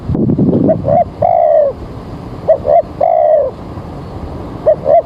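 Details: Spotted dove calling as a trapping lure on an early, overcast morning before rain: paired short coos then a long slurred descending coo, repeated roughly every two seconds, over a low rumbling background.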